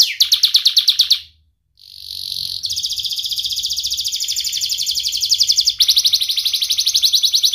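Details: Sharp-voiced young canary singing as a tutor for juvenile birds: a rapid trill, a short break, then sustained buzzy rolling trills lasting several seconds.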